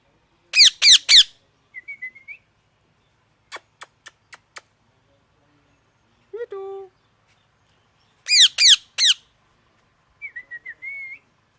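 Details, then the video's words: A parrot, described as natural, alternating harsh stacked squawks in bursts of three, short sharp clicks, a brief nasal note, and thin rising whistles, repeated with silent gaps between phrases. "Parrot Chirping Sounds | Natural ParrotSounds | Parrot Calling Sounds"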